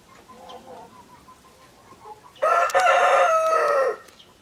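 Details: Rooster crowing: low, steady clucks give way to a single loud, ringing crow of about one and a half seconds with a rising then held harmonic tone.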